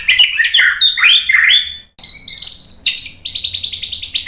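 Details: White-rumped shama singing to goad other birds: loud varied whistled and swooping phrases, a brief silence, then a level whistle followed by a fast series of repeated sharp notes.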